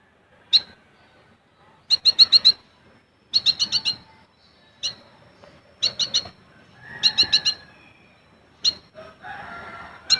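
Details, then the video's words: Caged olive-backed sunbird giving its song as sharp staccato shots. Tight bursts of three to six high ticking chips repeat every second or so, with single notes between, and a few softer warbled notes at the end. "Burung Kolibri Ninja / Konin Gacor Full Besetan & Tembakan Rapat untuk Masteran ataupun Pancingan"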